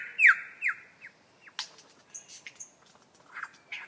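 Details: Lyrebird mimicry in beatbox style. Several loud, descending whistled swoops repeat about every half second, then give way to scattered sharp bursts and softer chattering notes.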